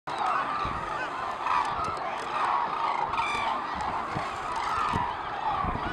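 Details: A large flock of hooded cranes circling and climbing over Izumi, Japan, on northward migration, 10 February 2013, gives loud, overlapping bugling and trumpeting calls without pause over a faint background rush.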